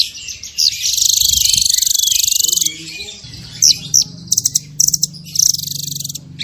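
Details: Masteran recording of a small bird in tembakan style: a long, buzzy, very high sustained trill for two seconds, followed by scattered sharp chips and short clipped bursts over a faint low hum.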